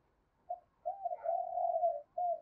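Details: Spotted dove song used to lure and provoke wild doves into fighting a decoy: a short coo, then a long, even, hollow cooing phrase and a final coo, all low and smooth.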